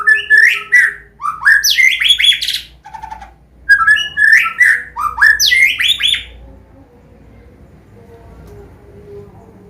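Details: White-rumped shama of the Medan type giving a combination song for teaching young birds: repeated bursts of steep, rising, scratchy whistles in pairs, then quiet with a low hum.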